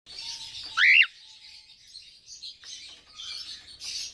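A cockatiel gives one loud, rising whistled call over soft, continuous high chirping.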